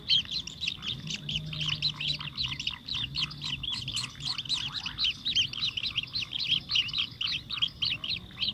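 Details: Sparrow feeding its chick, chirping rapidly and continuously in a dense run of short, high, sharp notes several per second, over a faint low hum.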